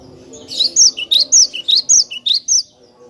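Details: Cinereous tit singing clearly in a long tutor recording for training songbirds: a rapid series of high, piercing two-part notes, each paired with a lower chip, repeated about ten times.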